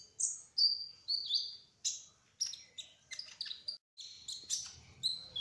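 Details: Trotol kolibri ninja sunbird singing steadily in rolling 'gacor ngerol' fashion, sharp high whistles and downslurred chirps coming about twice a second, background otherwise quiet.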